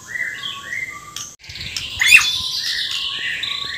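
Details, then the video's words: Singing white-rumped shama from Borneo: soft rounded whistles, then a harsh, buzzy burst of rapid rasping notes mixed with high chattering. "MURAI BORNEO GACOR FULL ISIAN KASARAN SAMPAI TUMPAH - TUMPAH"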